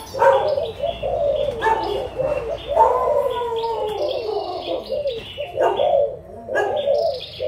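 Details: Adult spotted doves from Malaysia and Thailand, recorded on 16 March 2022, give throaty, bubbling coo phrases in overlapping bursts. Sharp chirps and clicks from other small birds break in between the phrases.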